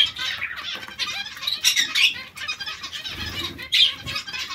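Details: Zebra finch colony: many birds give a dense, overlapping chatter of short, high nasal chirps and squeaks, with bursts of fluttering wings.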